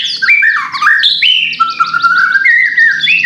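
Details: White-rumped shama song used to provoke a bird into singing: loud whistled phrases sliding between low and high notes, with a rapid series of short buzzy notes above the main line.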